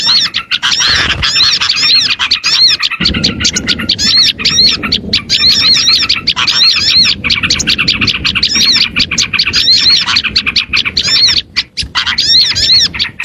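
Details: Luring sound for small birds, a long unbroken wall of shrill chirps, trills and repeated arching whistles from many birds at once, with a soft low hiss beneath.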